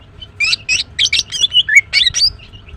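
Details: Female greater green leafbird chirping well: a fast, continuous string of loud, bright high notes, each a short twittered or slurred whistle, about four per second.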